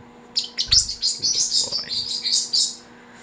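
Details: A pet umbrella cockatoo gives a rapid string of harsh, hissing, gurgling bursts for about two seconds, mimicking a rumbling stomach; a low steady hum runs underneath.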